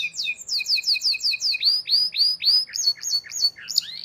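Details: Canary singing for young birds to learn from: a quick run of high descending whistled notes, then lower upslurred chirps and a few sharp looping notes, all rapid and bright. A faint low hum sits underneath.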